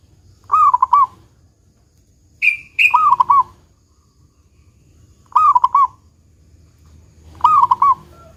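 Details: Four pulsing low coo phrases from a local zebra dove in the 'kung besar' style, a recording used as a lure to make other doves sing. Two short high whistles come before the second phrase.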